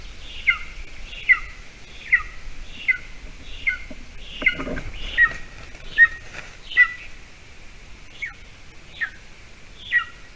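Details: Golden eagle nest on a Latvian island by a bog, morning of 28 June 2020, a mouse delivered as breakfast to the young: high, sharp, falling whistles roughly every 0.8 seconds, a brief rustling burst midway, then spaced-out calls.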